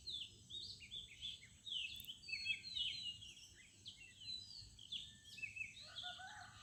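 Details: Morning birdsong in a village: several birds chirp and twitter together in high, rapid, overlapping phrases, with a lower warbling note appearing near the end, over quiet background noise.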